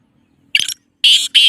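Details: Black francolin, called teetar, giving harsh, grating broadband call notes in three short bursts, the last two longer and close together, with silence between them.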